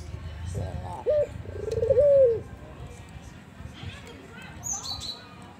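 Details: Soft 'kuwor besar' coo from an albino Barbary dove, one short mellow rolled phrase midway. Low rumbling background and faint high chirps follow.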